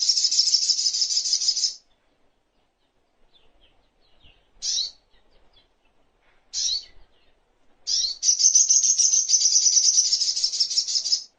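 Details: High, rapid little spiderhunter trills, meant for teaching songbirds, bracket the recording. In between are a few isolated sharp chip notes and faint soft ticks. The final trill runs steadily for more than three seconds.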